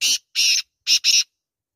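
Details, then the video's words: Black francolin calling at a hunting trap: loud, harsh, grating notes in two pairs, each pair a short rasp followed by a longer one, with brief silences between. "kala teetar awaz"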